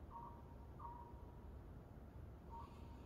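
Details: Oriental scops owl heard from outside a house in the evening, 24 April 2021: soft, hollow notes, three in about three seconds, over a low background rumble.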